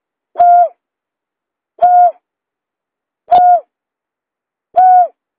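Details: Buttonquail call played as a bird lure: steady, flat, hollow hoots, each about a third of a second long, repeated roughly every one and a half seconds against a silent background.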